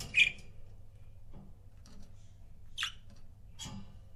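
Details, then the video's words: Pet budgie pairs give a sharp, squeaky chirp at the start, then two more thin, descending chirps near the end, separated by quiet with faint clicks and room hum. "CUTE BUDGIE COUPLES"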